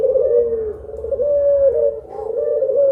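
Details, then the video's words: Collared dove of the puter pelung type, part of a two-bird daytime sound guide, delivering continuous low, droning coos with gentle undulations and a brief dip in loudness midway. "PUTER PELUNG MASTERING || PANDUAN SUARA 2 BURUNG INI BIKIN MERINDING DI SIANG BOLONG❗"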